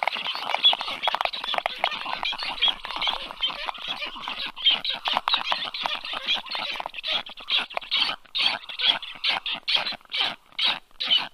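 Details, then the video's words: Black stork nestlings at the nest on 2022-07-04 at 1:30 p.m. give harsh, hoarse squawks in rapid uneven bursts, rising to louder spaced rasps, as a strange adult lands above; the stranger whistles and clatters its beak. "Strange black stork landed above the nest"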